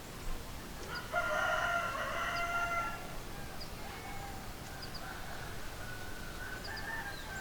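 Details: A rooster crows once from a moderate distance: a long, drawn-out harmonic note lasting about two seconds over steady outdoor background hiss. Faint short chirps from other birds follow.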